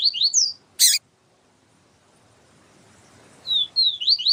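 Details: Papa-capim siu-siu (yellow-bellied seedeater) song, with a female calling to stimulate the male: short clusters of high, slurred whistles at the start and end, separated by a loud click and a quiet pause.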